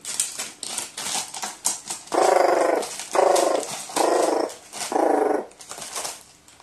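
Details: Excited pet crow playing with a paper balloon gives rare rolling 'gororo' screams: four long, grating, rattled calls, each about a second, separated by short gaps filled with rustling and tapping.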